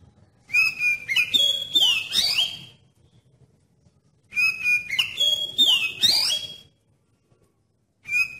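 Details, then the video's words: Lure song of an oriental magpie-robin, meant to set other magpie-robins singing loudly: two matching phrases about four seconds apart, each a sustained high whistle followed by bright slurred sweeps. A brief note begins at the close. "Suara Pancingan Kacer Paling Ampuh Bikin Kacer Lain Cepat ON dan Nggacor"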